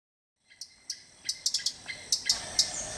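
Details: Blue flycatcher, possibly Tickell's blue flycatcher, in Sri Lanka, giving short, sharp, high chips at irregular intervals of about a third of a second over a steady high insect drone.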